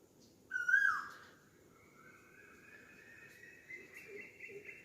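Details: Asian koel, locally called kokila, calling in a bird ambience recording: a loud rising whistled note that breaks off, followed by a faint drawn-out whistle climbing slowly upward, with soft chirps beneath.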